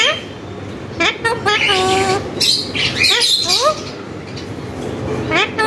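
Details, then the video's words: Tame parrot mimicking human speech, with phrases such as MashaAllah, Allah hoo and kon hay. Short harmonic, voice-like syllables with rising and falling inflections come in bursts, separated by brief pauses and quiet background hiss. "full talking parrot"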